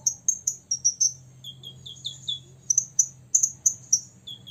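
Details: Six-year-old olive-backed sunbird singing to provoke rivals: bursts of very high, thin chirps and sharp ticks, then short lower whistled notes that slur downward, delivered in quick irregular runs with brief gaps, over a faint low hum.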